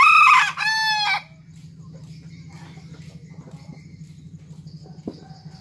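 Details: Tame ornamental rooster, a junglefowl cross whose sire comes from bantam and Serama chickens, crowing while handled. A loud, shrill two-part crow lasts about a second, then stops. A steady low hum continues afterward.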